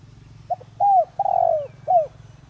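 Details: Spotted dove of the 'Đồng Rặc' voice style, kept as a decoy to make wild doves answer: a clipped opening note, a smooth arched coo, a long falling slurred coo, then a brief closing coo; steady low background rumble.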